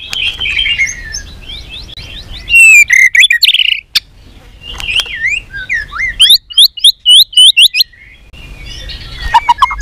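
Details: White-rumped shama in training for singing contests, giving a many-voiced fighting song: high, thin upslurred whistles and quick chip series in separated bursts, a quieter warbled passage opening and a low noisy background between phrases.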